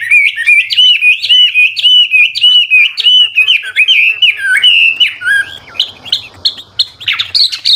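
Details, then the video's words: Chinese hwamei, an old wild-caught decoy bird, pouring out changeable looping song meant to stimulate new birds to sing; quick slurred whistles bounce steadily up and down, turning higher and more scattered near the end over faint low background noise. "Tiếng chim họa mi mồi già rừng hót luyến láy đảo giọng liên tục, giúp kích chim bổi nhanh hót"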